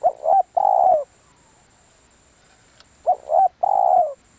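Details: Spotted dove kept for decoy calling, delivering two identical mellow phrases about three seconds apart, each two quick rising hoots then a longer downslurred croon, with a faint continuous high whine.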